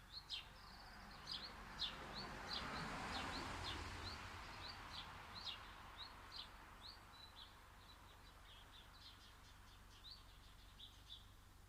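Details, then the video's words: Birds in a garden give a rapid run of high, thin chirps and flicks, some overlapping as if from more than one bird, while a soft rushing noise swells and fades early on. "Birds sounds"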